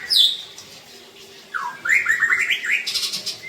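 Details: Aceh white-rumped shama with a drooping tail sings a rich, varied song: a high whistled note, a pause, then a rapid run of bright rising whistles and chirps over a steady low background hum.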